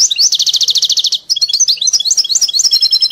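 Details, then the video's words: Goldfinch tutored on a hybrid singer delivers a fast buzzy trill of repeated high notes for about a second, then breaks into varied liquid twitters and chirps that run continuously to the end. "مقطع صغير من تغريد طيب لمقنين ملقم على ميلي"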